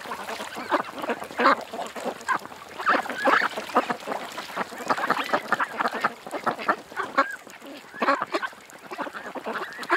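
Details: Creekside ducks calling together, a crowded stream of coarse quacks and honking notes, louder clusters rising and falling throughout.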